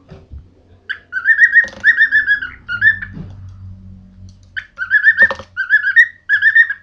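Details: Pet bird whistling its song indoors while another follows it around and bashes its beak on the floor. Clear, rippling whistled phrases in two bursts separated by a quiet pause, with a few sharp knocks and faint hum.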